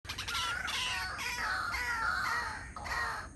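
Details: Pair of White-breasted Waterhens chattering at 6:59 in the morning: loud, harsh, nasal calls with bright overtones run together almost without pause, some notes sliding upward, in a continuous excited stream.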